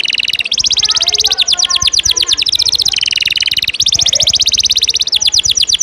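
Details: Caged canary singing training song: alternating fast dense trills and rolling series of sweeping notes, nearly unbroken, with faint background noise.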